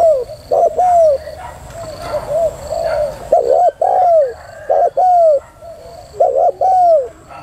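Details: Female spotted dove giving a 'thúc gù' prompting coo: soft, low, arched cooing notes in short clusters, several quick coos followed by longer drawn-out ones, over a faint steady high electronic hum.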